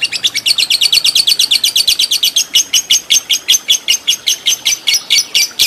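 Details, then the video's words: Lovebird trained for fighter contests, ngekek panjang style; a long, unbroken series of loud, rasping high chirps, fast at first then slightly slower and evenly spaced, with no other sounds. "Lovebird Fighter Ngekek Panjang"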